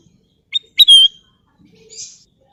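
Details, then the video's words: Golden bulbul giving one crisp phrase: a short sharp note, then a strong whistle that falls slightly. A faint distant note and soft background sounds follow. "Siulan Cantik Burung Kutilang Emas"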